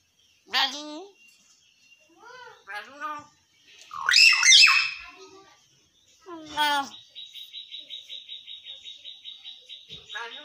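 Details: Hill myna talking in human-like words, mimicry said to tell listeners to pray namaz; several separate voiced syllables, a loud harsh burst, then a long steady buzzy trill held at one pitch for about four seconds.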